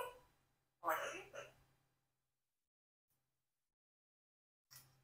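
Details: Four-year-old Congo African grey parrot says "cockroach" without the R, in two quick, clear syllables of mimicked speech over a low hum, followed by a brief sound at the end.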